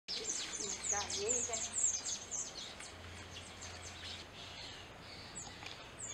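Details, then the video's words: Burnished-buff tanager (Saíra amarela) song: a soft, pleasant series of thin high chirps and short descending notes, repeated about twice per second, over steady background hum and faint rural ambience. "O canto da Saíra amarela (Tangara cayana)"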